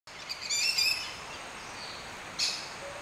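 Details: Azuero parakeet (Pyrrhura eisenmanni) at a farm in Flores, Veraguas, in the Cerro Hoya hills of Panama, gives harsh, grating screeches: a quick burst of rasping notes, a pause, then one more scratchy shriek over light hiss.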